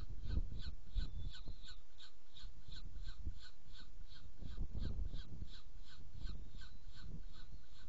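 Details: A saker falcon feeding in Hungary on 7 May 2017 gives a steady run of harsh, grating notes, about three each second, over low rumbling wind noise.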